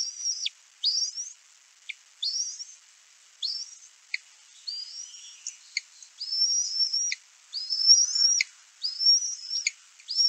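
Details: Bald eaglet at a nest on 11 May 2024, calling to announce a parent arriving with a fish while two eaglets compete to grab it and self-feed; high thin whistled notes with rising slurs, repeated in bursts about once a second.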